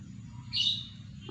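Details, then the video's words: A lovebird kept on its own after its female was taken away, calling out of an urge to mate: one brief, thin, high screech of about a quarter second over a soft low background hum. "Lovebird kepantau kawin setelah betinanya di pisah diumbar sendirian"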